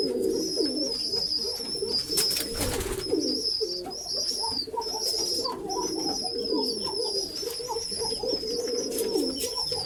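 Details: Dense cooing of many pigeons housed together, low warbling phrases repeating without pause, with a couple of brief noise bursts and thin high whistling tones running across the recording.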